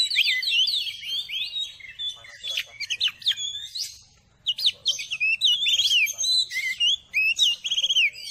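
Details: Song of an Oriental magpie-robin, played to excite a caged bird into singing and tail-spreading; lively mix of sweet slurred whistles, quick trills and buzzy chips in bursts, with a short pause midway.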